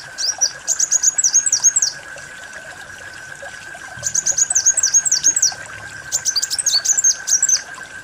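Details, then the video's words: Kolibri wulung, a sunbird, in a lure recording: rapid high twittering bursts of sweeping down-up chirps, each run lasting over a second, against a steady droning tone. "Suara burung kolibri wulung"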